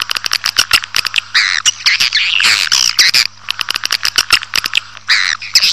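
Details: Swiftlet attraction call for drawing a colony into a building: rapid trains of dry clicks mixed with raspy buzzing twitters in bursts, over a steady low hum.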